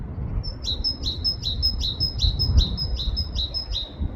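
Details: Great tit singing in a UK forest, repeating a bright two-part phrase, a high clear note dropping to a lower one, about nine times in quick rhythmic succession with soft low background noise.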